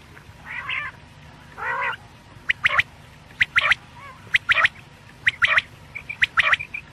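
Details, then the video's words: Quail (batair) calling at night in Pakistan, used in quail hunting: two rough nasal notes followed by many quick, sharp, crackling chips in small bursts, with faint short whistles between. "quail sounds/ batair ki boli | Batair ki Awaz rat k lia"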